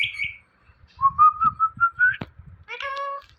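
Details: Indian ringneck parrot, kept as a talking bird, opening with a high squeal, then six short whistled notes rising gently, a sharp click, and a nasal mimicked word.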